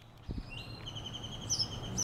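A great-tailed grackle gives a drawn-out, thin, high whistle that rises into a brief squeaky flourish at the end, over faint low rumbling background noise.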